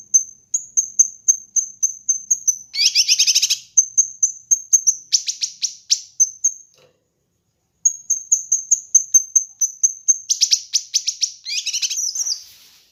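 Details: Kinoi bird master song for training and luring: long runs of thin, high, evenly repeated chips broken by dense buzzy rattles and sharp strokes, with one brief pause midway.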